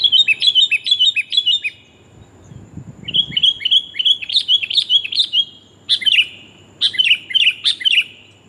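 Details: Female sooty-headed bulbul calling to a male, used as a lure: bright chirped phrases in quick clusters, a silent gap of about a second, then longer chattering runs and sharp repeated bursts with tinny overtones.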